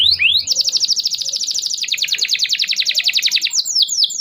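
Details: Canary (kenari) song played to stimulate young or silent canaries into singing: a long, very fast trill of high repeated notes, sliding slightly downward midway, closing with a few separate chirps.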